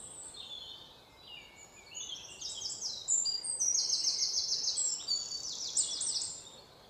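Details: White-throated fantail singing, a series of high, thin, squeaky notes and short rapid trills that build from quiet to louder, with faint background hiss throughout.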